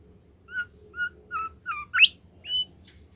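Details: Caged bimoli bird singing actively: a series of short clear whistled notes about every half second, each with a brief upper overtone, then a sharp steeply rising whistle and one final high flat note, over a low steady hum.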